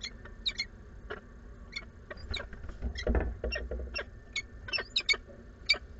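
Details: Female peregrine falcon Iskierka calls repeatedly at a nest box at Anwil, Włocławek, Poland, on the afternoon of 6 April 2022: short, harsh, clipped calls in irregular bursts, some in quick pairs, over a low rumble. Her mate never arrived.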